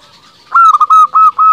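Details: Local zebra dove in vigorous song, used as a lure to provoke rival doves into answering; a short loud phrase of mellow cooing notes, a quick stuttered pair followed by three longer, even coos.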